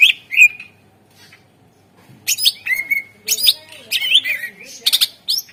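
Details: Greater green leafbird lure song to get other birds singing: a short whistled phrase, a pause, then a lively stream of sweet whistles mixed with harsh chattering bursts.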